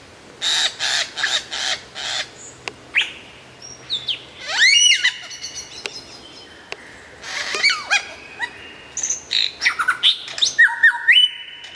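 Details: Lyrebird song with a clear, loud quality: a varied jumble of sharp chirps, buzzy bursts, rising and falling whistled sweeps, and short squawks, changing phrase every second or so.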